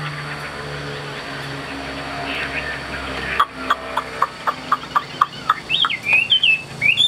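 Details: Caged Hwamei on the right-hand side, a tame bird described as singing well, giving a run of short sharp clicking notes roughly every third of a second, then loud looping whistled phrases rising and falling; steady background hum.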